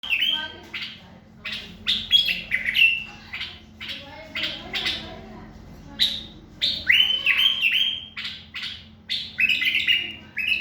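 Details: Common bulbul singing: loud whistled, fluting phrases with quick descending and rising notes, bursts separated by short pauses, bright and varied, with a faint low hum underneath.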